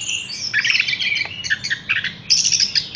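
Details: Horsfield's bush lark in a cage, hung up at once, pouring out high, scratchy twitters and quick whistled slurs, with varied short notes packed closely and a bright, sibilant run near the end.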